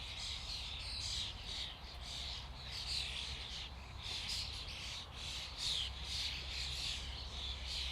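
A dense flock of common starlings keeps up a continuous wash of overlapping chatter, whistles and squeaky clicks over a low steady rumble.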